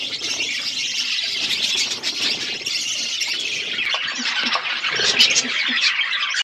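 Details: Continuous shrill squealing from wild parrots, a dense wall of high calls with a few short lower notes near the end.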